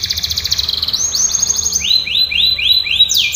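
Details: A canary sings a training song: quick high trill, then a series of slower rising-and-falling slurred notes, about four per second.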